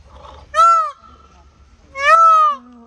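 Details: Indian peafowl on Pfaueninsel (Peacock Island) in Berlin, where tame peacocks roam freely; two loud, nasal, wailing calls, each rising then falling, about a second and a half apart, in a quiet setting.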